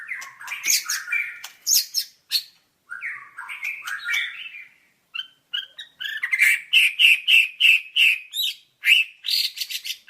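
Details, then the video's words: White-rumped shama in full song: rich whistled phrases and harsh clicks at first, then a rapid, steady series of repeated, ringing chattering notes, several each second. "Masteran Suara Burung Murai Batu"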